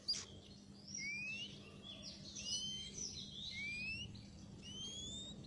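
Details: Oriental magpie-robin song played as a trapping lure: clear rising and falling whistles, some slurred upward, spaced through the phrase over steady low background noise.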